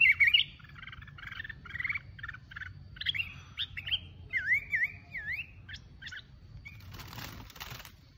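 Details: Solo song from a mountain red-whiskered bulbul: rapid repeated chirps first, then wavering warbled notes that slide up and down, ending with a brief rustling burst of noise.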